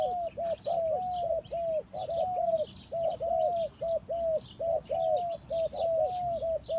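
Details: In the forest, a spotted dove coos continuously, short arched low notes repeated about once a second in uneven runs, some doubled, while other birds chirp faintly at higher pitch.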